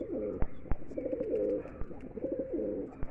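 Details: Mukhi pigeons from a collection of red, black, yellow and silver birds, giving low, rolling coos in overlapping bursts, with sharp clicks and knocks scattered through the recording.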